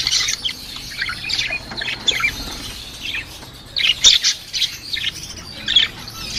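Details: Lovebird chatter: bright, high chirps and short squawks in irregular clusters, with louder sharp bursts around the fourth second and softer twittering between.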